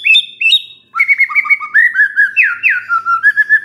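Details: White-rumped shama, a stressed bird triggered by a lure sound: a couple of high notes, a short break, then a quick, continuous chain of rich warbled whistles with a buzzy swoop in the middle.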